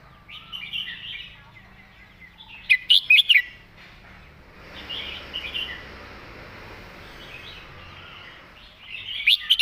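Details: Red-whiskered bulbul, "master song" with lovely phrasing: a loud run of four rapid bright notes early, then a stretch of hiss and soft warbling, and a further loud phrase at the close.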